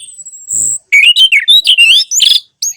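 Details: Orange-headed thrush song, played as therapy to set silent kept birds singing: a thin high whistle, then a quick run of varied slurred whistles and rising and falling notes, briefly broken by short gaps.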